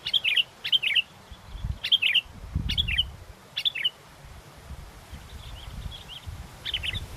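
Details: Sooty-headed bulbul in strong wind during bird luring, singing lively: short bubbly, warbled phrases repeated roughly every second, a pause, then one more phrase, with gusty wind roaring low underneath.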